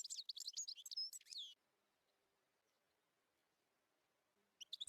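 A European goldfinch gives a quick, high, liquid twittering burst of tinkling notes for about a second and a half, then falls quiet before a brief final flourish.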